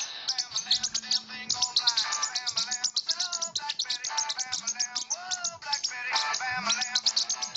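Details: A pet parrotlet keeps up a rapid stream of high, scratchy chirps and twittering in response to a ringing cellphone, whose low ringing buzz repeats about every two seconds.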